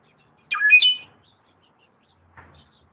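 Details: Slate-colored solitaire (Myadestes unicolor) calls at Xel-ha: one quick phrase of clear, fluty whistles that jump up and down in pitch, then a faint short note after a pause.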